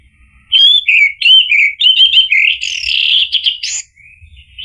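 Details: Orange-headed thrush song used to provoke another bird to answer and sing: a fast, unbroken run of bright warbled and whistled notes, rich and tumbling, ending abruptly with a soft trailing phrase.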